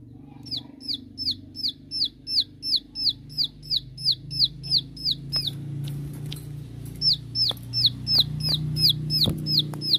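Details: Bar-winged prinia giving its 'shooting' song to call out rivals: sharp, downward-hooked high notes repeated about three times a second. The series pauses for a moment amid scattered clicks, then resumes. A low hum sounds underneath throughout.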